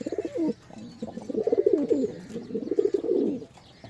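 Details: Pigeons give deep rolling coos: a short burst, a brief pause, then a long bubbling stretch of throaty cooing before it fades.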